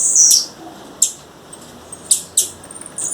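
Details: High whistled opening note from a wild female blue-black grassquit, then a series of sharp, spaced chip notes, some paired, across the rest of the stretch.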